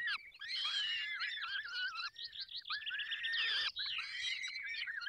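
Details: Falcons at a nest in the Barycz Valley, feeding time: an almost unbroken stream of shrill, strained, overtone-laden wails that waver and bend in pitch, overlapping like several birds calling together.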